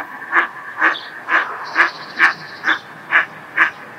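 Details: Eastern spot-billed duck calling often at its breeding pond; loud, harsh, nasal quacks repeated evenly about twice per second, eight in a row with no pause.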